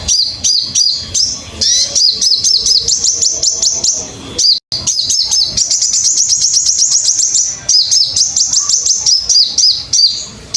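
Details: Master song of a crimson sunbird, meant for teaching caged birds to sing: long runs of high, squeaky twittering notes, some quick and bouncing, others drawn into thin trills, broken by a short silent gap.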